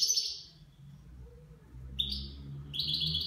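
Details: Nine-month-old goldfinch singing, praised for its song in the Levantine style; a brief high twittering burst at the start, a pause, then bright chirps and a sustained twittering phrase near the end, with low indoor hum throughout.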